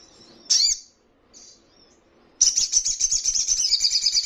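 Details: Ruby-cheeked sunbird, training recording for caged birds to answer: a sharp high chip, soft faint twitter, then a sudden fast, shrill, pulsing trill.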